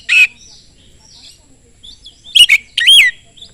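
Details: Oriental magpie-robin song used to provoke other magpie-robins; a short harsh note, soft faint twitter, then two loud whistled slurring bursts.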